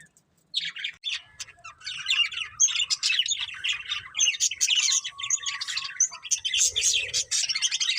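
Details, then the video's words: Breeding pair of budgerigars chirping: after half a second of quiet, a dense, continuous chatter of quick high twittering notes and short squeaks runs without pause to the end. "Beautiful Budgies Chirping Sounds | Love Birds Breeding Pair"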